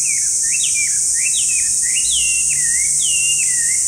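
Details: Chinese hwamei song: loud, clear whistled phrases that swoop up and down, each slurred note rising then falling. Continuous steady hiss in the background.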